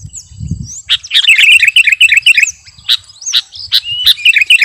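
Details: Sooty-headed bulbul, kutilang garuda, singing energetically: a short low thump at the start, then a fast warbling chatter of bright notes, followed by spaced sharp chirps and upslurred whistles.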